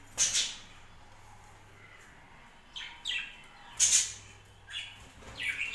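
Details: Pet budgerigars on a home budgie farm give scattered sharp, high, buzzy chirps, a loud burst near the start and another near four seconds, separated by quieter calls over a soft hum.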